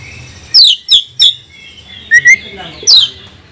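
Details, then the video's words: Oriental magpie-robin 'pancingan' song for provoking rival magpie-robins: three sharp downswept whistles in quick succession, a pause, two short rising notes, then another steep descending whistle. "Kacer mana yang tak mau Konslet dengar pancingan suara kacer ini | kacer gacor"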